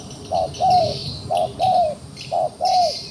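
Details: Trapped wild pigeon, still struggling against the snare in Cambodia, repeats a short low coo followed by a longer drawn, slightly falling coo, about once a second, over faint high chirps.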